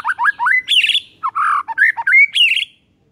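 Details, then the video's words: White-rumped shama in morning song aimed at provoking rivals, delivering loud rising whistles, harsh chattering notes and a clear upslurred whistle in a varied rapid phrase. "HITUNGAN DETIK DI PAGI HARI BIKIN MURAI LAWAN AUTO NAIK EMOSI SEKETIKA"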